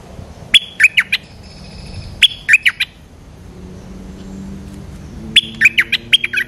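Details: Responding to a lure, a large territorial Streak-eared bulbul repeats brief clusters of four or five crisp, slurred notes roughly every two seconds, with a faint low hum between phrases.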